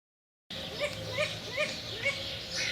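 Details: A Long-eared Owl, a migratory forest owl that winters in India in parts of Jammu and Kashmir, gives harsh, nasal, slightly arched notes about every half second over a steady background hiss.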